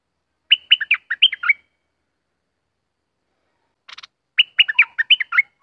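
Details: Southern Thai bulbul giving two rapid liquid phrases of bouncing, slurred notes, each about a second long and separated by a pause, with a brief dry rattle just before the second phrase.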